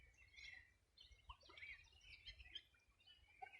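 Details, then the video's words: Birds singing at the edge of the Rio Bueno, Los Ríos Region, on a summer morning in 2020. Softer, more distant high chirps and warbles overlap, with a few lower whistled notes and a constant low hum. "Sonido de las aves a orilla del Rio Bueno"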